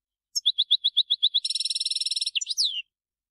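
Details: Goldfinch in the field calling to others of its kind: eight evenly spaced clear chips leading into a fast buzzy trill, ending with a couple of sharp slurred notes.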